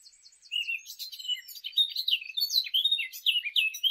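A Eurasian blackcap sings a fast, high warble: a few thin scratchy notes open into a rich run of clear, fluting phrases that tumble up and down.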